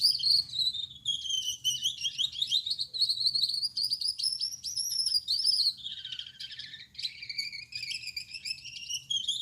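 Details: Night song of a male Gouldian finch with yellow back, red head and white chest: continuous high, reedy, buzzing chatter with wavering drawn tones, dipping into lower grating notes midway before rising again; quiet background hum.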